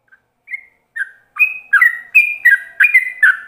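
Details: Yellow-vented bulbul, ropelan-style lure song for other bulbuls to copy: a few hesitant, spaced whistles that quickly accelerate into a dense, bubbly run of bright chirping notes.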